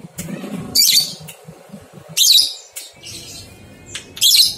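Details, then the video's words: Lovebird ngekek song meant to stimulate two-month-old young lovebirds: harsh high chattering bursts spaced over a second apart, with a low hum in the background. "Masteran Lovebird Paud 123 Ketukan Terbukti Ampuh Merangsang balibu 2 bulan Ikut Ngekek"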